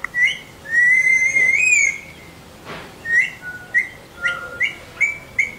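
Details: Whistling parrot at a training session: one long, slightly wavering whistle lasting over a second, then a loose series of short, sharp whistled notes.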